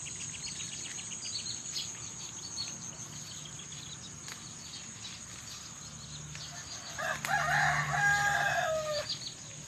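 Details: Rooster crowing at sunrise: after seven seconds of faint, scattered small-bird chirps over steady background hiss, one loud harmonic crow rings out for about two and a half seconds, holding level, then dropping at the end.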